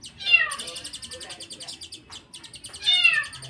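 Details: Mountain white-eye singing unusual, strange learned fill-in material: a fast, steady buzzy pulsed trill of high notes, broken by two loud descending whining, mew-like slurs at the start and end.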